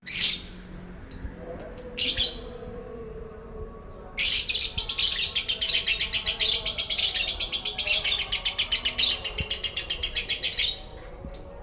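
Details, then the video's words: Lovebird learning the konslet song style: a few short chirps, then a long, fast, rattling chatter of harsh repeated notes, about four per second, lasting roughly six seconds before stopping abruptly. "Lovebird belajar konslet"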